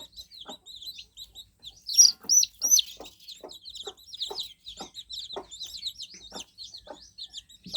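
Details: Flock of newly hatched chicks peeping steadily, a continuous sprinkle of short, high, downslurred cheeps, louder looping chirps near the middle, with faint regular ticking knocks below.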